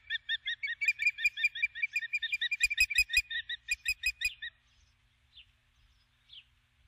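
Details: Osprey female perched on the nest at dusk after landing with a stick, calling for her absent mate: a fast run of shrill, evenly spaced piping whistles for about four seconds, then two softer chirps.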